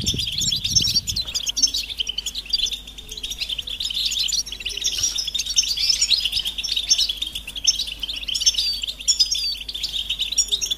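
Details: Collective goldfinch twittering, European goldfinch mating calls intended to break males' silence: continuous high chirping and liquid trills, with a brief low thump at the start.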